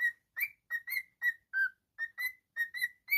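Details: Cockatiel kept as a pet giving quick, bright whistled notes, about three per second, some steady and some sliding slightly down, in an irregular chirpy sequence.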